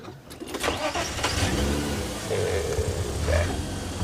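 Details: A car engine starts and then runs with a rough, revving drone, with faint voices and mechanical clatter; no animal sounds.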